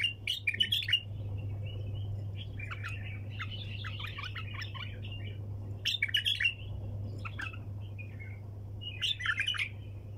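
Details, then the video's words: Bulbul in the 'tak janah' hunter-style song (tour sayyad), sung without pause: bursts of loud chattering, warbled phrases every few seconds, linked by softer continuous twittering, with a constant low hum underneath. "طك جناح بلبل طور صياد"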